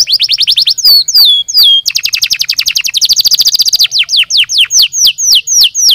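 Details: A canary sings rapid high trills, a tight buzzy roll, then a few swooping descending notes before a sequence of slower, evenly spaced falling whistles in a clean recording.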